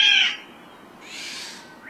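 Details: Black-naped oriole of a nesting pair near Jeonggwan, Gijang, Busan, in early summer with chicks near fledging, giving a loud, harsh, nasal squawk, then a fainter rasping, cat-like note rising at the end.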